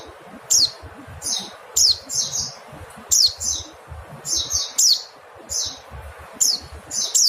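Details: Mountain white-eye repeating bright, high, steeply descending call notes at irregular intervals, occasionally two in quick succession, with a trailing buzzy element and quiet low background noise.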